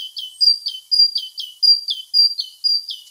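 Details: Great Tit singing a variation on its basic syllable pattern: clear repeated two-part phrases, a high whistled note sliding down to a lower one, about six repeats in quick even rhythm against a quiet background.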